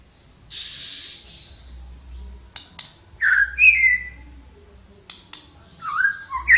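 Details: Energetic flowerpecker song after a hissing burst and a few sharp clicks: a rising whistle leading into a bright wavering phrase, then later a falling whistle and a low note.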